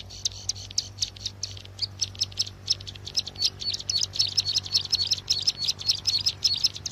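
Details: Bar-winged prinia call used to lure birds into traps: uneven high chips becoming a faster run of sharp, high trilled notes, with a low steady hum behind.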